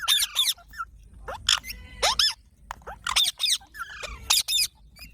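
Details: Chicks of a parrot give shrill, grating squeaks and curved whining notes in uneven runs, with faint thin whistles between bursts.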